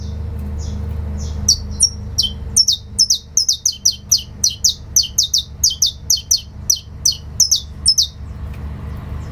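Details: Fibra canto of a saffron finch: a long, regular sequence of sharp, ringing, downslurred high notes about three per second, preceded by softer notes and underlain by a low hum.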